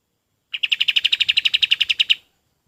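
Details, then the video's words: Tutor recording of a golden-bellied gerygone for teaching other birds: a quick, regular trill of roughly eighteen bright chirped notes lasting under two seconds, clean background. "SUARA KAPAS TEMBAK"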